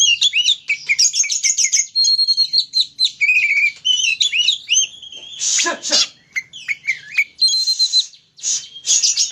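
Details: Kacer, the Oriental magpie-robin, in an energetic song meant to stir another bird to sing: fast trills, clear sustained whistles and rapid chirp runs, interrupted by a loud rasping burst around the middle.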